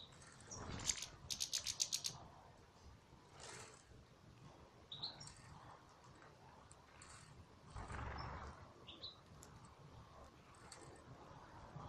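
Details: European goldfinch song from a breeding aviary: a quick run of rhythmic buzzy notes, then sparse twittering, short upward chirps and a few liquid whistles over a low room hum.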